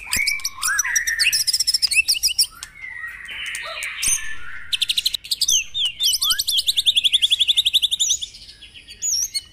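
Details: Morning dew-bathing White-rumped shama, played to prompt caged birds to sing: varied whistles and a harsh buzzy passage, followed by a steady, fast series of repeated high notes and closing looped whistles.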